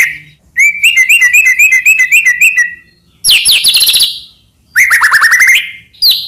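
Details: Murai batu (white-rumped shama) singing as a master song to stir other shamas: a long rapid chattering trill, then a burst of high buzzy notes, then a fast descending rattled series, each burst separated by brief silence.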